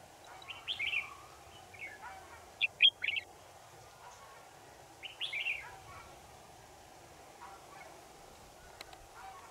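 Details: Red-whiskered bulbul recorded while testing a new camera: short, bright whistled phrases that bend up and down, given in separate bursts with pauses between them, over a steady low background hum.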